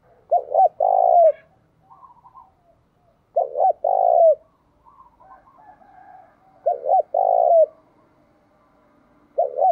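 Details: Decoy spotted dove cooing to stir other doves into answering. Three low rolling coo phrases arrive about every three seconds, each opening with two short hooked notes before a sustained purring coo; quiet soft notes between phrases.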